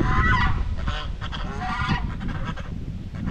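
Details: White Chinese geese kept on a farm, grazing and talking among themselves; a rapid burst of rough honks in the first two seconds, then fading, with constant low rumbling noise beneath.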